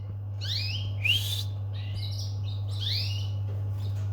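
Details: Domestic canary chirping in curved, whistled sweeps, a few notes over four seconds, against a strong steady low hum.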